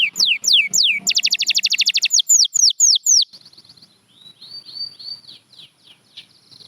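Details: Canary phrase of loud falling whistles followed by a fast, clipped trill and more sweeping notes. The song then drops to a soft, warbling, twittering passage.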